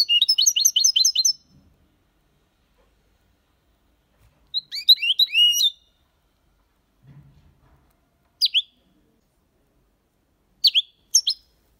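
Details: Copia malaga style song of a European goldfinch, meant for teaching young birds: a rapid twittering burst opens, a second burst follows near five seconds, then isolated sharp high notes break long silences, with a faint low thump.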